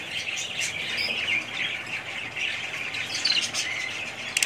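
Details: Several budgies warble softly and steadily, high chirps blending into a continuous chatter, with brief sharper squeaks toward the close.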